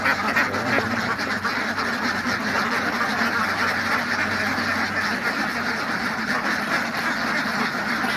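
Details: Ducks on a farm, many birds quacking at once in a dense, continuous chorus of overlapping nasal calls with no clear gaps, with a steady wash of background noise throughout.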